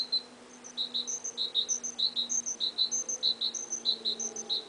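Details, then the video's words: Early spring, a small bird singing: a steady series of short, high, paired whistled chirps repeated about one and a half times per second over a faint low hum. "Two Little Spring Birds singing away!"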